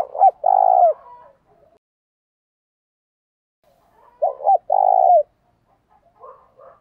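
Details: Spotted dove calls of male and female birds used to provoke and train male doves, heard as short two-note hoots followed by a longer low coo, twice with a long pause between, in a quiet room.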